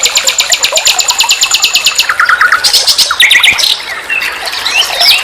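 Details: Common nightingale song used as a master recording to tutor other songbirds: long high whistled notes over rapid ticking, then low fast rattles, buzzy phrases and sharp repeated chirps in quick, varied succession.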